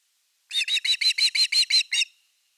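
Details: Osprey at nest #3 on 30 August 2021, during an evening fish delivery: a quick run of nine short, harsh, high chirping notes, evenly spaced, then silence; no other sounds.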